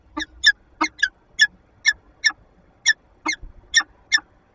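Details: In a Lublin, Poland nest box in February 2022, a female peregrine falcon interacts with her mate, giving rapid harsh chipping notes, about eleven in four seconds, some in quick pairs.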